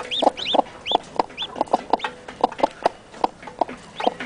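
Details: Newly hatched chicks beside their mother hen give high, arched, whistled peeps, clustered early and scattered later, while low, knocking clucks pulse steadily underneath; the chicks peep nonstop to make sure the hen stays close.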